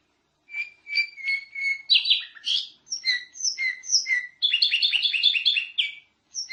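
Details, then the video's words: Lively canary song for training other canaries: steady repeated whistled notes, then varied chirping phrases, ending in a dense, fast rolling trill of rapidly repeated notes before a final chirp. "Masteran Kenari Gacor ||| Kicauan Merdu"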